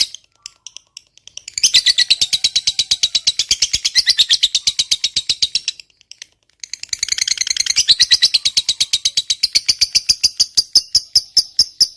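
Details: Lovebird fighter giving a long 'ngekek panjang' chattering song, used as a lure to get silent lovebirds singing. Rapid, dry, metallic trill of evenly repeated notes in two long bursts with a short pause near six seconds.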